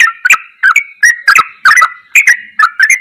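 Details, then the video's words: Bubbly ropelan goklikan phrases from a yellow-vented bulbul, recorded as a master for training: paired warbling notes with crisp high clicks, repeated in quick succession. "MASTERAN TRUCUKAN TERBAIK || ROPELAN GOKLIKAN TOP"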